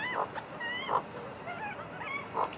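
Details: A magpie family eating together gives soft, fluty warbled calls with sliding, wavering notes, broken by three brief harsher squawks.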